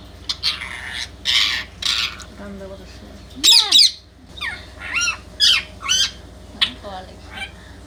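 An Indian ringneck parakeet utters a string of harsh squawks and short mimicked word-like phrases, some rising and falling, in a small indoor room.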